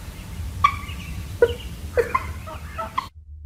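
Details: Turkey (Meleagris gallopavo), alarm call.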